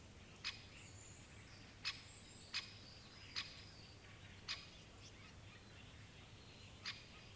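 A great spotted woodpecker gives six sharp, high 'kik' notes, spaced irregularly about one to two seconds apart, over a low background hum and faint distant chirps.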